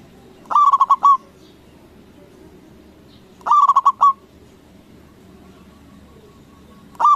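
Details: Local zebra dove with a big voice, sung to make other doves answer quickly. Three phrases of five rapid, rolling coos come about three seconds apart over a soft, low background murmur.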